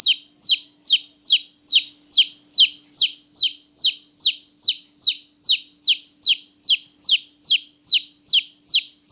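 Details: Loud, steady chirping of small newborn chicks at night; bright downward-sliding peeps repeat at a regular pace of about two and a half per second, with a faint background hum.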